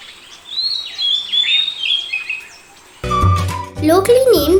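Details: An Indian Paradise Flycatcher, seen at Dambulla, Sri Lanka, gives a few high, slurred notes that dip and fall over two seconds, then music and a speaking voice take over.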